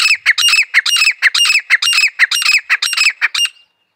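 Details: Grey francolin (Francolinus pondicerianus) call: a loud, harsh, ringing series of notes, about two to three per second, lasting three and a half seconds, then stopping; no other sounds.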